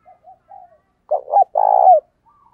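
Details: Spotted dove kept as a lure, cooing to attract wild doves. Two soft low notes lead into a loud double phrase, a rough rolling coo and then a long trembling hoot that dips at the end.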